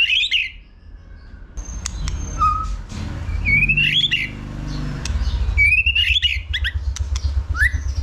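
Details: White-rumped shama in competition singing, stimulated and flicking its tail; rising whistled phrases with twittering flourishes, broken by sharp clicks, over a continuous low rumble.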